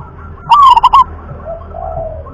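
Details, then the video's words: Zebra dove, a local wild bird of the rhythm class: one loud, bubbling coo phrase of quick stuttering notes, followed by soft low background sounds. "jenis suara perkutut lokal kelas irama"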